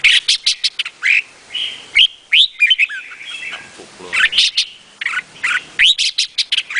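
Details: Red-whiskered bulbul (Vietnamese type) in steady song: rapid staccato chirps interleaved with fluid, slurred whistled phrases that rise and fall. The song is delivered almost without pause.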